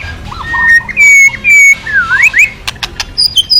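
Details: White-rumped shama song to get other birds singing: long steady whistles, a deep dipping then rising slur, and a few scattered high clicks near the end.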